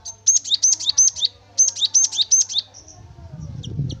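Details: Javan munia singing, played as a lure to set another bird singing: two quick series of high, sharp rising whistled notes, about five each, separated by a brief pause, ending in faint chips and low rumble.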